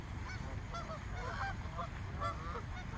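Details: Over one hundred frightened swans in a small park: a busy cluster of honking and wavering nasal calls overlapping through the whole moment, with low rumbling noise underneath.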